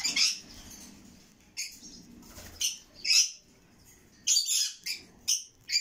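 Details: Red lory chicks giving harsh, hissing, rasping bursts, short and broadband, repeated irregularly with quiet gaps between them.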